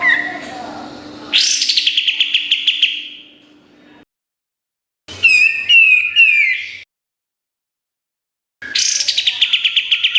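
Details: Olive-winged bulbul (kapas tembak) singing a master song for training songbirds: bright rising whistles that break into rapid stuttering chirps, in bursts separated by silent gaps.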